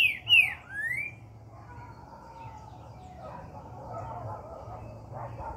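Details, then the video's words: Green-winged saltator, known as trinca-ferro, giving a brief loud whistled phrase of a falling note then a rising one, with faint murmuring noise afterwards. "Maravilhoso CADE MEU BOI"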